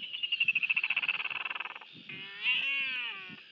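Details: Royal albatross at a New Zealand nest, 23 January 2023, while feeding its chick: a fast, high rattling chatter of about fifteen pulses a second that fades, then a nasal, harmonic wail that rises and holds.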